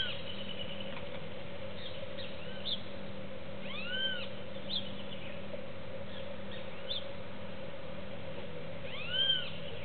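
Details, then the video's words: Juvenile cowbird visiting a feeder, competing with doves for seeds: a few soft, arched whistled notes, some double, scattered through the clip over a steady low hum and background noise. "Tordo Juvenil"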